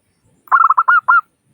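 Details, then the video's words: Local zebra dove with a clear crystal-toned voice, a recording used as a lure to prompt other doves to call: one quick phrase of six short cooing notes, the last ones longer and rising then falling. "Suara Burung Perkutut Lokal Gacor Pancingan Perkutut Agar Cepat Bunyi"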